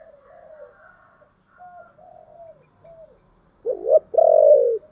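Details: Spotted dove, thổ voice style, calling: several soft, distant-sounding low coos, then a loud wavering double note and a long steady coo close by.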